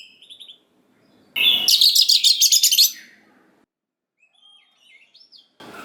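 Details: Oriental magpie-robin singing to provoke young wild birds into answering. A soft whistle is followed by a loud run of about ten harsh, evenly repeated rasping notes, then quiet, thin whistles.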